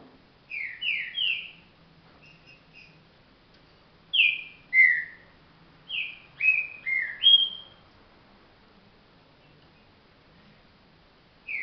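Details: Green-winged saltator, known locally as trinca virador, singing clear whistled phrases: bursts of two to five descending slurred whistles, repeated after pauses of a few seconds, in a quiet setting.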